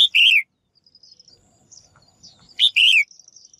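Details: Female bird giving a pleasing call to excite males into song: two loud, rasping bursts, each a short high note then a longer buzzy one, about two and a half seconds apart, with faint twitters.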